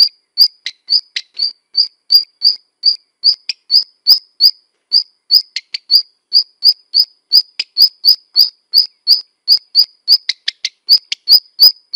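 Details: Repeated thin whistled notes of a black redstart, nearly three per second, broken by occasional dry clicking ticks, in otherwise silent surroundings.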